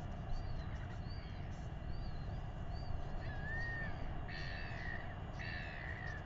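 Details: In New Zealand, a royal albatross chick is fed by its father during a weighing. A thin drawn-out call is followed by two louder, harsh, layered calls near the end, all over a steady low rumble of wind.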